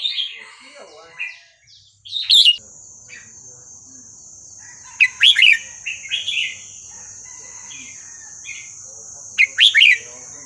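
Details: Red-whiskered bulbul singing in the Burmese song style, played to teach young birds: short bright warbled phrases of quick rising and falling notes, bursting out at about three-second gaps over a steady high-pitched whine.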